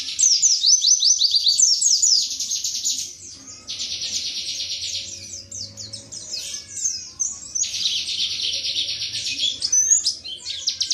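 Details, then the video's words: Indonesian pleci (white-eye) delivering tembakan materi in wiksar style: quick chirps and slurred whistles alternating with two long, even buzzy trills, each lasting roughly three seconds. "Pleci WIKSAR Tembakan MATERI"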